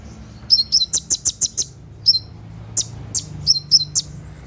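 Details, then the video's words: Sunbird calling at night gives a fast burst of about seven sharp, very high chirps, then scattered single high tweets over a quiet background. "SUARA TEMBAKAN KONIN"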